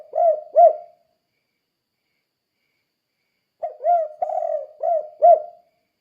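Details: Spotted dove (tekukur) giving its 'kuk kuk' call meant to coax other doves into calling: two short coos, a silent gap of nearly three seconds, then a longer phrase of low hooting coos.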